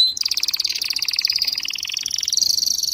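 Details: A male canary courting a female for mating sings an unbroken, high, rolling trill of very fast repeated notes that shifts in pitch through the phrase. No other sounds are heard.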